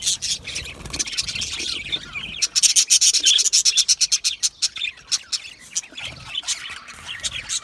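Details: Australian budgerigars chirping, a sound made when content: dense high chatter, then from about 2.5 seconds a run of sharp, rapid chirps repeated nearly three times a second, fading into softer mixed twittering.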